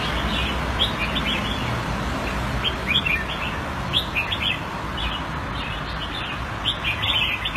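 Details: Singapore-kept caged red-whiskered bulbul, Thai style, February 2018, delivers lively bubbling whistled notes in short groups spread through the clip, with a continuous low background drone.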